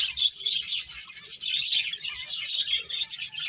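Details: Several finches at play give rapid, high-pitched chirps and short twittering notes that overlap almost without a break.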